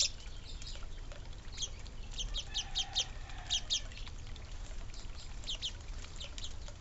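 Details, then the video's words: Suburban birds eating and drinking at a birdfeeder and water fountain give short, high chips and ticks in scattered quick bursts over a steady low rumble. "Real Bird Noises, Birds eating and Drinking"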